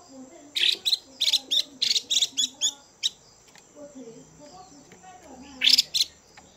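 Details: A female Chinese hwamei gives the chùi call to stimulate males: a run of scratchy, buzzy notes in pairs, a pause with faint low murmuring sounds, then a final short harsh burst.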